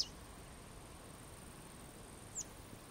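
Western yellow wagtail giving two brief, thin, high calls about two seconds apart, the second slurring sharply downward, over a steady high insect-like hiss.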